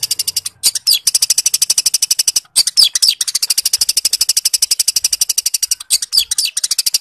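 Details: Fighting song of a long-tailed shrike: rapid, shrill machine-gun ticking sustained for seconds, interrupted now and then by brief pauses and quick descending squeaky whistles.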